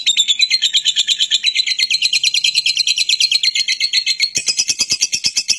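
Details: Long unbroken ngekek chatter of a lovebird, used as lure sound: fast rasping pulses about six per second that shift higher near the end.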